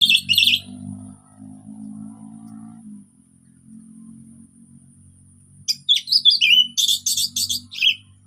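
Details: Orange-headed thrush singing a relaxed song used as a lure to get silent thrushes singing: a burst of high varied chirps, a quiet pause with a low hum, then a rapid run of sharp whistled and trilled notes.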